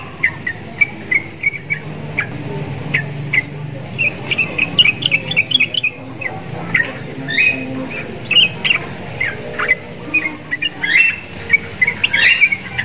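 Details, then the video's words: Sooty-headed bulbul in a cage, singing hard and said to sound like a Javan myna kept next to it. A busy run of quick clicks and short bright chirps, rising to a dense chattering burst near the end. "TRUCUKAN GACOR !!! MENTALNYA SEPERTI JALAK KEBO"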